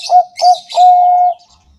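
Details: Zebra dove of Bangkok stock singing a lure song meant to set other doves singing: two short, round coos followed by one long, steady, held note, with thin high twittering above.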